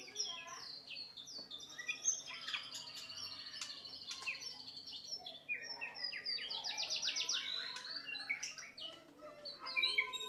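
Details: Training song of a white-rumped shama: busy, continuous warbling of sharp chips, high whistles and a fast rattling trill midway, over a constant low background hum.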